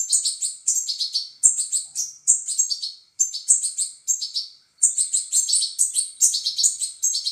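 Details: Young European goldfinches calling for food while being fed, producing shrill, rapid chittering bursts, each a quick string of thin chirps, repeated roughly every second with brief silences.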